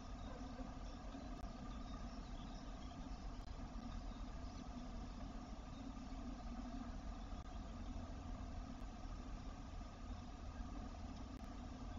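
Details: A steady, low engine rumble, like a car idling, continues throughout, with no animal sounds.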